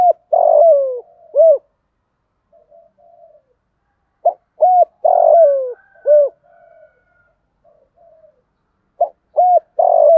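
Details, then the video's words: Spotted dove cooing, used to stimulate other doves into cooing: loud, low, hollow coo phrases of several notes, each with a downward-bending ending, repeated in bursts separated by pauses of about three seconds, with soft quieter coos between. "tiếng cu gáy kích bổi nhanh nổi hiệu quả"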